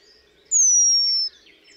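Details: Male Eurasian penduline tit in spring at the Milicz ponds, Barycz Valley, Poland, having woven his nest, trying to lure a female to it: one long, very thin, high whistle sliding gently downward, over faint low hum.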